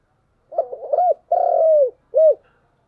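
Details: Spotted dove kept as a decoy, calling in the morning: a few quick stuttering coo notes, then one long drawn, slightly falling coo, and a short final coo, clear against silence.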